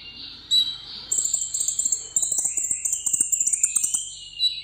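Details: Sunbird kept caged, singing solo in contest style: a sustained, very high, shimmering trill with fast stuttering pulses, a few clipped whistles at the start and end, and light ticking in the background.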